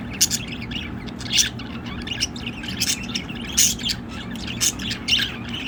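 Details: Pet budgerigars kept on a patio chatter and warble in scratchy, squawky bursts over a steady low hum.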